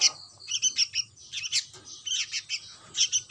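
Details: Chick of the sooty-headed bulbul producing rapid, high-pitched squeaky chirps in uneven runs, roughly one burst per second, with a soft low hum behind.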